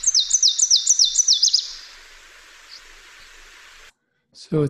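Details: A Nashville Warbler sings about six high, seesawing two-note phrases, the typical warbler seesaw, then a quicker jumble of lower-pitched tones. A brief voice follows.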